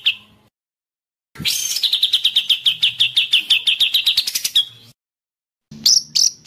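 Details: Agitated white-rumped shama giving a long, evenly pulsed, buzzy trill that slowly rises and ends in a falling note, then a few sharp high notes after a pause.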